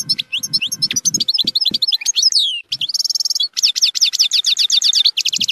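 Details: Goldfinch song of the zilzal type with strong nahrat, played to train young goldfinches: fast liquid twitters over low thumping, then long rapid buzzy trills of repeated notes.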